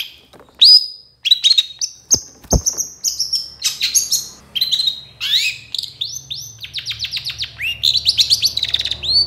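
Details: Long-tailed shrike song used to provoke other shrikes into singing: a long, varied string of sharp high whistles, slurred notes and fast buzzy trills, with abrupt changes of phrase and a sharp click early on.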